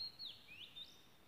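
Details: A wild Oriental magpie-robin in Malaysia gives a clear, high whistled phrase that slurs downward, then swoops back up and holds steady, over faint background hiss.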